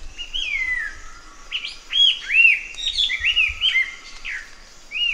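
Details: Chestnut-eared laughingthrush singing rich, loud whistled phrases, arched and sliding notes between mid and high pitch, delivered in quick varied bursts over a steady faint background tone and occasional low thumps.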